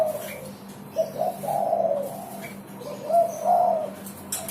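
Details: Persistent spotted dove song, mellow low coos in two phrases, short stuttered notes running into a drawn-out falling coo, with a constant low hum underneath.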